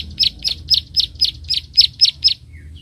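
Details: Bar-winged prinia; clicking call; aggression while fighting a rival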